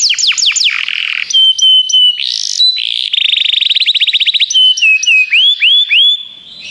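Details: Song of a canary played to get a canary singing: swooping downslurs, level whistles with regular sharp pips, a buzzy burst, a fast rattling trill, and rising curved whistles.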